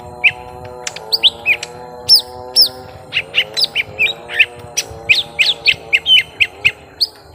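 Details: Lesser green leafbirds, young, fighting at length: a dense, fast run of varied chirps, downslurred whistles and squeaky notes, growing busier toward the end, above a continuous low drone.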